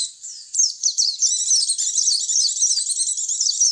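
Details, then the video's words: White-eye lure call used to bring white-eyes in: a thin falling whistle, then rapid, tightly packed high twittering that runs on without a break, crisp and noise-free. "Suara pikat pleci"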